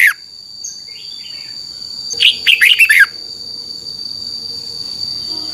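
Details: Red-whiskered bulbul song played for caged birds to learn and copy. A single quick burst of about five bright, warbled, up-and-down notes lasting under a second, over a steady high insect-like whine and a thin continuous tone.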